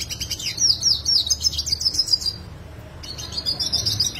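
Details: Yellow siskin in active song, sharp roll style, original sound: a quick burst of high, tumbling twitters and buzzy trills, a half-second silence, then the rolling twitter resumes more softly.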